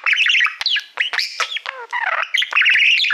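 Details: Male budgerigar kept as a pet, singing at a shiny plaque used like a mirror: continuous loud, varied chatter of squeaks, buzzes and downward whistled slides.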